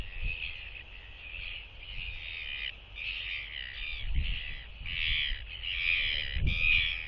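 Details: Northern royal albatross pair greeting each other at the nest with skycalls, reaffirming their bond as the female returns to relieve the incubating male, 16 December 2023 nest camera; harsh braying bursts in a loose series, wind rumbling underneath.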